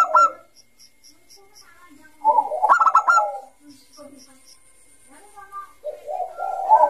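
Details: Zebra dove of the Bangkok type in vigorous ngayer song, a lure for young doves: a short coo, a long gap, then a cluster of fast clipped notes with soft coos afterwards.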